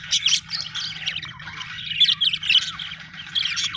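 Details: Budgie chirping: a dense stream of quick, high squeaky notes and twittering trills, louder at the start and again after two seconds, with a soft low hum underneath.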